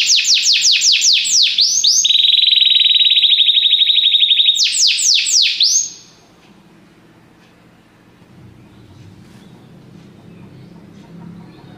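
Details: Belgian canary singing for song training: rapid descending sweeps, a sustained buzzy trill, then more sweeping notes; after about six seconds the song stops, leaving faint low background hum.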